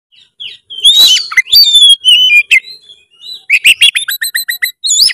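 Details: Oriental magpie-robin in full 'narung' challenge-style song, loud and nonstop, played to get a quiet bird singing: rich whistled notes sliding up and down, buzzy phrases, then a fast run of short repeated chips near the end.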